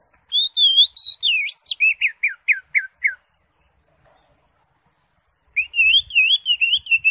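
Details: Greater green leafbird delivering a varied song: looping whistles, then a quick series of descending slurred notes, a short silence, and another burst of fast wavering whistles.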